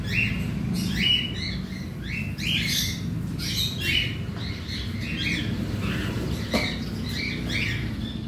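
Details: A captive colony of around one hundred cockatiels in an aviary being cleaned: overlapping sharp chevron-shaped squawking calls from many birds, loudest in the first four seconds, over a steady low hum.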